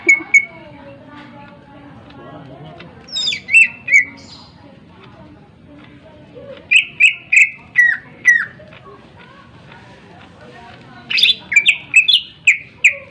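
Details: Greater green leafbird song used to provoke other birds to sing: clusters of sharp, descending whistled notes and harsh chips delivered in bursts separated by quiet gaps, with faint low background hum.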